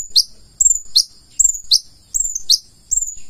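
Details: Purple-throated sunbird in lively song: a short series of sharp, very high chirps with a downward twist, spaced about every half second, each followed by a faint thin tail.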